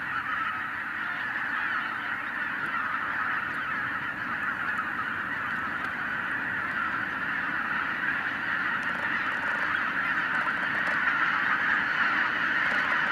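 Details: Tens of thousands of wild geese, flushed by a white-tailed eagle in the 2023 season, fill the air with a dense unbroken roar of overlapping honks. The clamor swells slightly toward the end.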